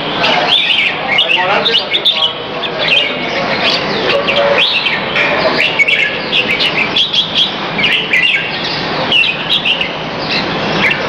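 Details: Oriental magpie-robin giving a busy, continuous song of high whistles, scratchy chatters and quick trills, with other bird notes and murmuring voices, during afternoon exercise around 2:15 pm on 22 Feb 2017 at Serangoon North Ave 1.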